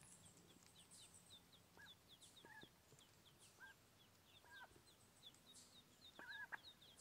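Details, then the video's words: Newborn mallard ducklings give a steady stream of short, high, downslurred peeps. Occasional louder, lower chirped notes stand out against a faint background hum. "Babies, New Born Mallard Ducklings"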